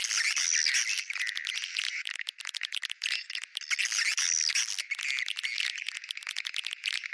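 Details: Swiftlet lure sound in the 'bintang utara' style, said to be liked by swiftlets: dense, buzzy, high twittering chatter with rapid rattling pulses, swelling and dipping, with short gaps throughout.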